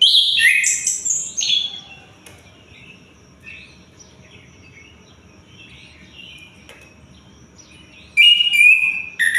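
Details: Orange-headed thrush (anis kembang), singing day and night: an opening rush of loud, rich whistled notes, a long stretch of soft, quiet warbling, then a strong whistled phrase returning at the end.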